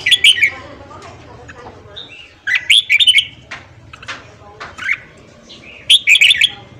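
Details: Morning singing of a red-whiskered bulbul, meant to stir up newly caught wild birds. Loud, clear whistled phrases repeat in quick clusters, with softer warbling and chirps between bursts.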